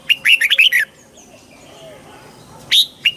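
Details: Red-whiskered bulbul singing to excite a bird: a quick run of six bright, bubbly whistled notes, then a pause with faint thin whistles from other birds. A loud chirp and a shorter call finish it.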